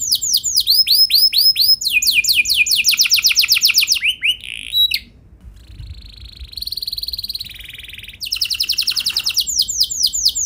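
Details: Canary lure song to trigger singing in other canaries: swooping rolled notes and a dense fast trill, a short pause, then a sustained buzzy high tone before rapid trilling resumes.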